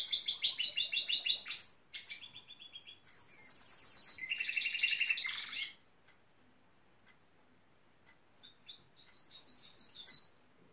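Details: Gloster canary, male, said to copy building site machines like a pneumatic drill; loud dense rattling trills for about six seconds, then silence, then a few quieter sweeping chirps.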